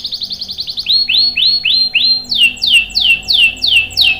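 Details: Canary singing long phrases used as a lure and tutor for young birds: quick high chirps, then slower arched whistles, then sharp downslurred notes repeated about three times a second.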